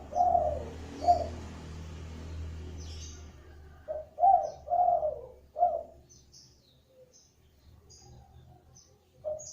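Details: Spotted dove used as a lure to make other doves call, with low cooing notes at the outset partly under broad background rustle, then a clearer cluster of soft coos in the middle and a final note.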